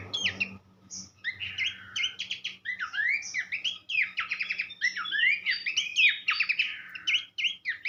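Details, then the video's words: Horsfield's babbler performing a rich, nearly unbroken song used to train songbirds: rapid sequences of sweeping whistles and fast stuttering trills, loud and clear, with a faint low hum at the start. "vokal mewah sang guru masteran khas pelanduk semak"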